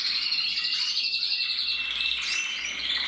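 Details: Canary, a red mosaic agate male from a breeder, recorded on 1 November 2024: a loud, sustained trill of rapidly repeated high notes, about four per second, with rising whistled sweeps near the two-second mark.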